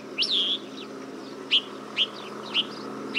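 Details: Desert finch giving a drawn-out, high whistled note followed by short clear chirps about every half second, over a low background hum.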